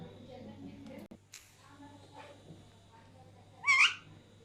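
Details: Alexandrine parakeet, one of three parrots, two sharing food while the third laughs; a single short harsh squawk near the end over quiet room hum and faint rustling.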